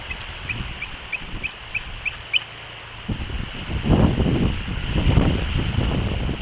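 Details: Bald eagle at the West End nest on 8 April 2024, while both parents feed three eaglets: a run of about eight thin, high chirps in quick succession, then gusty wind and rustling take over.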